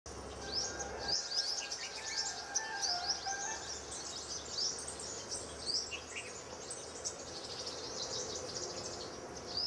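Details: Sunbird in a Bhopal garden as spring sets in; rapid, thin, very high chirps and tweets come in dense overlapping bursts throughout, over steady background noise, with a low hum during the first second.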